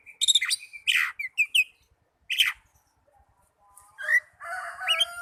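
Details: Lure song of an Oriental magpie-robin, used to make caged birds sing: a few harsh, buzzy notes and quick chips, a pause, then lower, wavering whistled and squeaky phrases.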